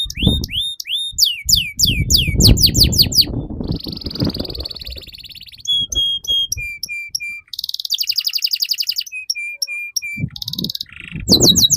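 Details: Extended canary song, a model for young canaries to learn from: rising sweeps, fast down-slurred series, a buzzy note, whistles stepping down in pitch, a rattling trill and repeated notes, with low rumbling between phrases.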